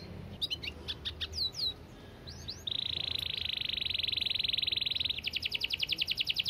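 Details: Canary in 'gacor speed rapat' song: scattered faint chips and swoops, then a loud steady buzzing trill lasting about two and a half seconds, followed by a rapid pulsed rattle.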